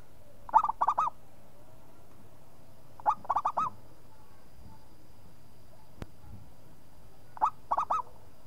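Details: Local zebra dove in full song, repeating a phrase of four or five quick mellow coos about every three seconds, three phrases in all, with a sharp click between.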